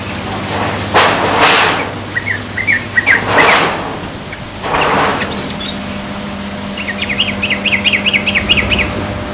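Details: Young yellow-vented bulbul learning to sing gives brief bubbly note groups, then a fast run of rising chirps near the end, mixed with loud broadband noise bursts and a low steady hum.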